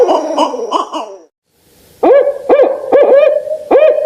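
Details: Barred owl calling: a rapid, rhythmic burst of throaty notes lasting about a second, a short silence, then four strong, clear hoots with slight upward inflections, spaced roughly half a second apart.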